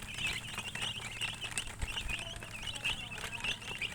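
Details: Chirping chickens, high peeps coming in small bursts about every third of a second, several birds together, with faint low thuds and indistinct background sounds.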